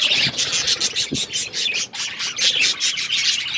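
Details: Budgerigar flock heard February 18, 2024: rhythmic bursts of bright, scratchy chirps repeating several times a second, with faint low thumps beneath the chatter.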